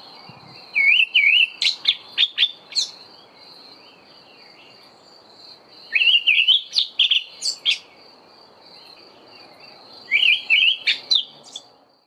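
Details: An Olive thrush sings in the dawn chorus in early autumn: three bursts of varied, warbled, whistled phrases with sharp high notes, about four seconds apart, over a steady high insect-like hum.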